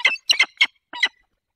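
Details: Peregrine falcon in the Barycz Valley, Poland, on 10 April 2021 at a changeover around 15:36, giving five harsh, grating, high-pitched notes in quick bursts over about a second, with no other sounds.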